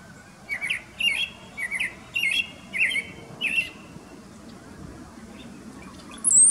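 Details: A male Brown-headed Cowbird, about 10 m away in Desbarats, Ontario, sings to and chases a female, giving six quick squeaky, gurgling notes in about three seconds, then a thin, very high whistle after a pause; faint background hiss.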